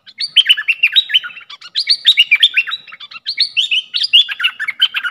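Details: Red-whiskered bulbul kept in a cage as a luring decoy, giving fast sequences of clear whistled notes that rise and fall, phrases tumbling into one another with brief pauses between bursts.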